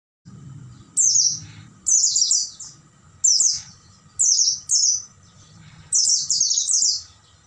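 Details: Oriental white-eye singing at night, a recording meant for training caged birds: high, rapid descending twittered phrases about half a second long, repeated every second or so, with faint low rumble beneath.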